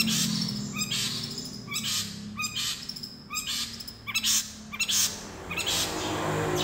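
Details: Long-tailed shrike imitating the fighting call of a tree sparrow. Bursts of harsh, chirpy notes come in uneven clusters against a steady low hum and noisy background.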